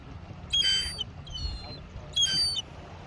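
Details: Young seagull making noise at the harbour in Mevagissey, Cornwall, by the sea; two strong high whistled squeals with a weaker one between them, set against a low droning background.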